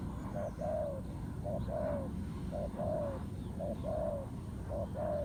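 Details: ['A wild spotted dove in a fighting match with a ground-trap decoy, cooing strongly: low, soft paired notes, short then long and slightly falling, about one pair per second, over steady low rumble.']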